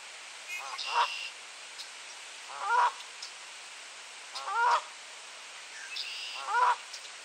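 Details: Goose giving warning honks on a light-rain April morning at 10°C in Sainte-Adèle, Quebec, Canada; four loud nasal honks spaced about every two seconds, each with a rising tonal core, against steady rain hiss.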